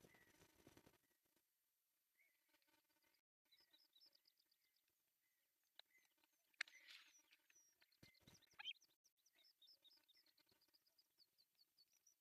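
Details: Three osprey chicks at breakfast feeding in an artificial nest in Pohjois Satakunta, Finland, on July 1, 2024, filmed by a nest camera; faint thin, high peeping chirps come in quick repeated runs, with scattered knocks and rustles.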